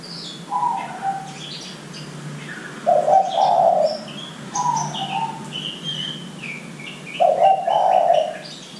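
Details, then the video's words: Lure recording of spotted dove cooing to prompt young doves to call: soft, breathy coo phrases rising into a louder rough final note, spaced a few seconds apart, with faint chirping of other birds. "Pancingan Derkuku Muda Agar Cepat Bunyi"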